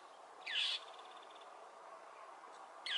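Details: Annoyed northern mockingbird harassing a perched Cooper's hawk on a power pole, Potrero Road, Newbury Park. A clear, grating squawk with a trailing buzzy tail, then a second one starting near the end, with quiet steady background noise.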